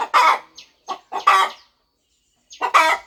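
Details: Mother hen clucking as she prepares to hatch her eggs on a farm; a few soft clucks build to loud harsh notes, then a pause of about a second before another strong rasping cluck.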